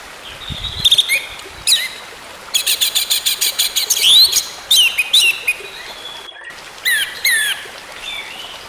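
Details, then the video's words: Orange-headed thrush singing, used as therapy to bring a silent bird back to song: varied high phrases mixing sweet slurred whistles with fast scratchy rattling notes, broken by short pauses. "TERAPI ANIS MERAH MACET BUNYI, BERTAHAP KEMBALI GACOR"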